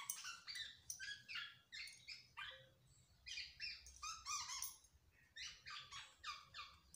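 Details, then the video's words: Black-naped oriole, a kept bird still in full voice, chatters in bursts of rasping, buzzy notes, grouped in short clusters repeated roughly every half second to second, loud and continuous over faint room noise. "ciri ciri kepodang gak mau dirawat tapi tetap gacor"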